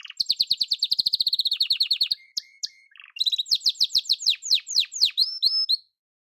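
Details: Singing yellow canary: a rapid rolling trill of evenly repeated high notes, a short level whistle, then a series of sharp descending chirps ending in silence.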